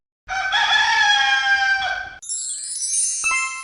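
A rooster gives one long, strained, harmonic crow of about two seconds, held level and then dropping at the end. It cuts abruptly into a different, higher, tonal sound.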